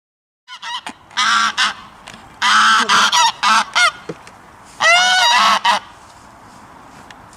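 A goose gives loud, harsh honks in short bursts, about ten calls in quick clusters, some with a nasal rising-falling tone.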